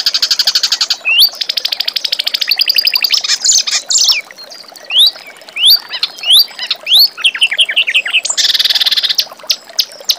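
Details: Song of a reed warbler, kept as master material for training young magpie-robins: opens with a long mechanical rattling trill, then sharp upslurred whistles, rapid ticking notes and a final harsh churr.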